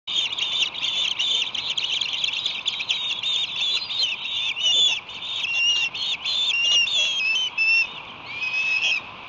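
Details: Ospreys at a nest, with young about two months old fighting over a large headless striped bass delivered by an adult: a continuous stream of high, whistled chirps and squealing notes, some rising and sliding.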